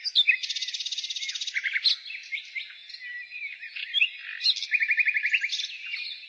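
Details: Singing nightingale in spring: a long, even, buzzy trill of fast repeated pulses opens, followed by varied chirps and another quick trill near the end, with background birdsong throughout.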